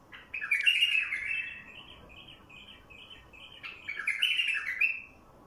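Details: Wild bulbul song for luring its kind: a loud bubbling phrase, a run of quieter repeated chirps, then a second loud warbled phrase, over a low constant hum.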